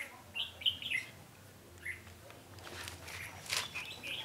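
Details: Red-whiskered bulbul at a trap on 20 November 2015: a few clear, quick warbled notes open the sequence, then a harsh rustling noise and scattered higher chirps follow.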